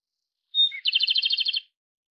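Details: Japanese robin song: a single clear high whistled note held briefly, then a fast, even rattling trill of about a dozen pulses lasting under a second, with no other sounds in the background.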